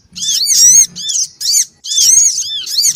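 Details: Black-winged cuckooshrike, female and male, calling noisily for luring small birds; dense, very high, scratchy chatter of looping arched notes in four quick bursts with short breaks.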